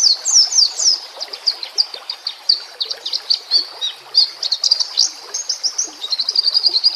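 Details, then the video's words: White-rumped shama song used as a training recording for captive birds: rapid, dense, high chirps and trills, about three notes a second without pause, loud and continuous. "Murai Batu CULUN DAN MBAGONG"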